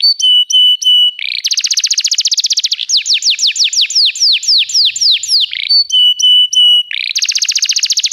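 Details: Canary singing for training other canaries: clipped flat piping notes, then a rapid buzzy trill, then long rolling series of downward-swooping whistles, returning to piping notes and another fast trill.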